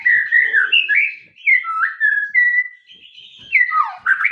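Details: White-rumped shama song of mellow whistled phrases, level and slurred, with a short pause midway, then downslurred and rising notes, faint low rustling behind.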